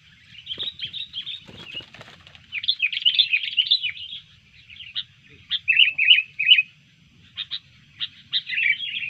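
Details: Sooty-headed bulbul singing vigorously when disturbed, showing its fighting spirit: dense chattering phrases, then louder bubbling warbles and scattered sharp clicks, with quiet gaps between.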